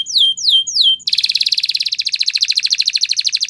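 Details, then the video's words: Spanish Timbrado canary singing in a training recording: three slurred, falling whistles, then a rapid, even, metallic trill of about twenty notes per second that continues to the end. No other sounds are heard. "Canary Singing Champion !! Spanish Timbrado Song"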